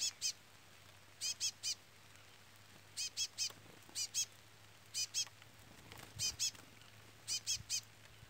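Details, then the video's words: Chestnut-bellied seed finch chick peeps all the while beside a brown adult. Clear, very high, short notes come in groups of two or three about every second, with faint steady hum below. "Curió Pardo cantoria Trola / Curió Pardo Trolinha"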